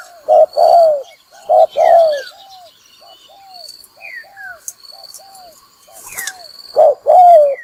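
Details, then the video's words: Spotted dove lure call for trapping wild doves: paired deep coos, a short note then a longer falling one, opening and closing the stretch with fainter coos between, thin high whistles from other birds above. "Tiếng chim cu gáy mồi kích bổi đá lụp"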